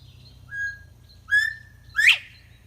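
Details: Northern bobwhite (Colinus virginianus), call.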